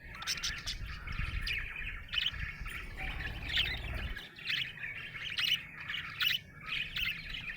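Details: Happy budgerigar warbling on and off in a rapid, scratchy chatter with clicky high notes; low rumbling noise fades out about halfway through.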